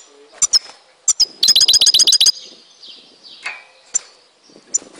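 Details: Goldfinch song from Tizi Ouzou, Algeria: a few sharp notes, then a rapid run of about ten evenly spaced metallic ticks, followed by a slurred descending phrase and scattered bright chips.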